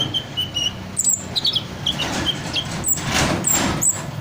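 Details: Hummingbird in full voice, imitating the calls of other birds: short steady whistled notes and thin high chirps, repeated irregularly over a hissing, noisy background.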